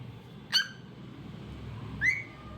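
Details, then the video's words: Cockatiel singing, two short whistled notes about a second and a half apart, the second one rising, over a quiet low hum. "Adorable Cockatiel Cute Singing Sounds"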